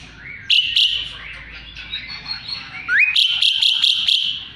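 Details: A kept Asian pied starling, used as a song model for magpie robins, sings a busy run of sharp chirps, whistles and rising notes, bunched in two bursts, over a faint background hum.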